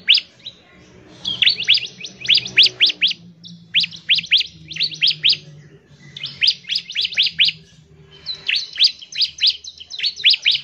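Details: A bar-winged prinia sings fast and vigorously to get other birds singing: quick series of sharp, down-slurred high notes in several runs, with soft low background hum.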